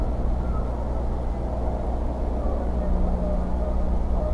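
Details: A loud, constant low hum and rumble runs throughout, with no animal call heard.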